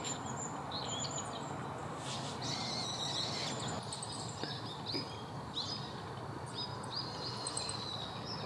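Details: Male Siberian rubythroat, identified by its red throat, singing a varied, high warbling phrase of thin whistles and buzzy notes in short bursts, over steady low rumbling background noise.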